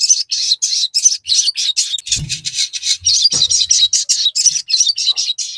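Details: Crested jay in a continuous, dense stream of harsh, high chattering notes with no pauses, with faint low thumps in the background.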